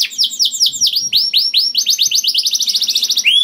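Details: Canary song meant to spur other canaries into singing: a string of clear descending whistled notes speeding up into a rapid high rattle-like trill, ending with a rising whistle.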